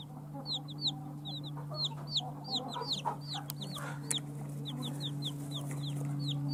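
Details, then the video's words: Freshly hatched chicks from hatching eggs, peeping continuously: many sharp, high, downward-slurred chirps in overlapping runs, roughly two to three per second, over a loud steady low hum. "JUST BORN "Chicks Chirping" Sounds"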